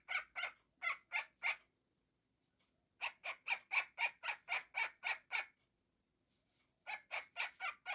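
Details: Pet young cockatiel making silly noises indoors: bursts of raspy, buzzy squawks in quick succession, separated by short silences, with a faint low hum in the background.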